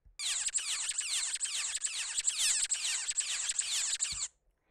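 Pin-tailed Whydah nestlings beg with a dense, shrill stream of high, rapid, buzzy notes for about four seconds, mimicking their waxbill host's begging calls.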